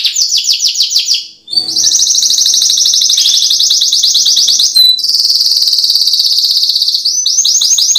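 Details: Lure song of a canary for birds slow to sing: downslurred whistles, a brief gap, then a long steady buzzing trill, a short pure note, and another extended high roll ending in falling sweeps.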